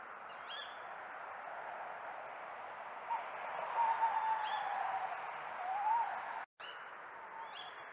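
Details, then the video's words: Night-time owl hoot from a Burton Joyce garden trail camera, 6 May 2024, with a muntjac deer present: a long wavering, quavering hoot lasting about a second, with brief high chirps from another bird before and after. "Owl hooting"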